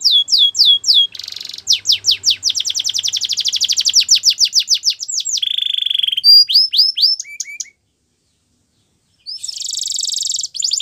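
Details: Belgian canary song used for training canaries, made of fast rolling trills of sharp repeated whistled notes, a low steady tone, a few falling whistles, a pause of silence, then a high buzzy trill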